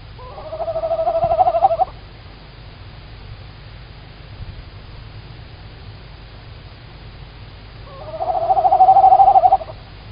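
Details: Female tawny owl calling very close on a March 2019 evening in Estonia, caught by a live camera: two rough, tremulous calls about six seconds apart, each lasting over a second and rising in loudness, with quiet background between them.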